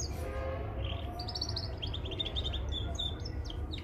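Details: Mosaic canary singing, meant for training young canaries: rapid trilled runs and repeated high chirps, some rolling rattles, over a loud steady low hum.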